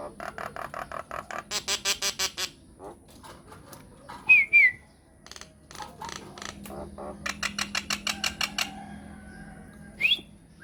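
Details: Myna song used as a lure to draw answers from other mynas: fast regular clicking series, a brief wavering whistle in the middle, another run of rapid clicks, and a final sharp whistle.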